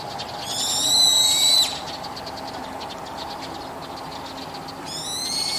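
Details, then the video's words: A Brown-eared Bulbul calling on a rooftop in the evening gives a loud, shrill screech lasting over a second, then starts a second one near the end, over a steady low background hum. "ヒヨドリの夕方の鳴き声 Brown-eared Bulbul"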